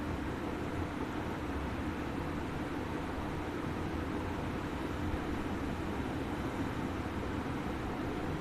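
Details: Continuous low engine-like roar and hiss, similar to road traffic, with no animal voice.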